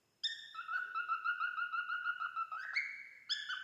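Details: Tame male cockatiel whistling a steady run of pure, evenly pulsed notes on one pitch, then sliding higher into brief longer whistles.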